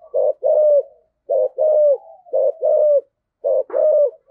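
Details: Decoy spotted dove coo in the 'giọng thổ' style, meant to provoke wild doves into replying. A steady pattern of paired notes repeats: a short low coo, then a longer coo with a falling tail. The background is silent.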